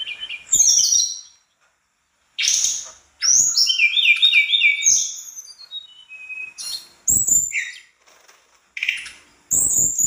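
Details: Mangrove blue flycatcher singing vigorously in a full, mimicry-filled 'gacor dor isian' style. Rapid, varied high whistled and twittering phrases tumble up and down, broken by short silences. Brief clicks and a few sharp broadband knocks are also heard.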